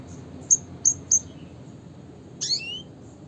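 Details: Red siskin (Spinus cucullatus) giving its classic call: three quick, thin, high chips, then a longer buzzy twittering note with a rising tail, over a faint low background hiss.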